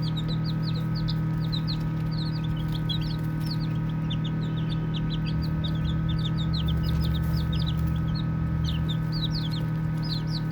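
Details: Baby chicks chirping while they play: a dense, continuous stream of short, high, falling peeps from many chicks, overlapping at several per second, over a steady low mechanical hum.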